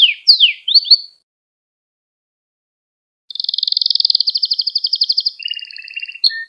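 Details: Canary training song: a few quick downward and rising sweeps, two seconds of silence, then a long rapid rolling trill that drops to a lower trill and ends in short notes.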